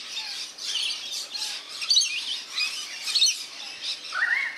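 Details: Several rainbow lorikeets at a garden birdbath in New South Wales, Australia, screech and chatter while bathing: overlapping shrill, scratchy notes in bursts, ending with a lower, rising squawk.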